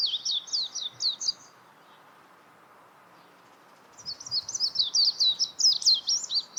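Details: Warbling white-eye giving rapid high twittering phrases of quick up-and-down notes, one burst at the start, a pause, then a longer warbling run.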